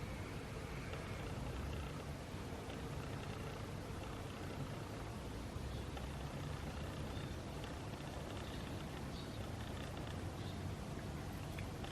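Dense broadband rushing noise, like traffic or wind, with no animal voice.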